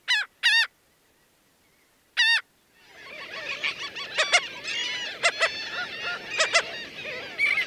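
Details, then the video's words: Three clear nasal laughing gull notes, each harsh and quickly falling, are followed by a dense, noisy din of many overlapping gull calls. "Sounds singing Laughing gull, sounds, singing Aztec seagulls"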